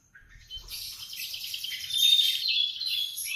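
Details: Morning canary song starting softly and swelling into a sustained fast trill of high twittering notes, growing louder toward the close.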